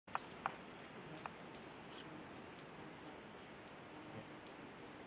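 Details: Pirre Hummingbird on Mount Pirre, Darien, Panama, giving thin, very high squeaky chips at an uneven pace, about one a second, over a faint steady hiss.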